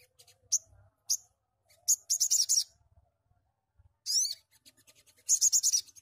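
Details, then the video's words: Lively sogon song meant to trigger singing in untrained birds of the same kind: isolated sharp high chips, then short bursts of quick, shrill, buzzy chatter separated by brief silences. "TEMBAKAN SOGON GACOR Sangat cepat merangsang bunyi sogon bahan"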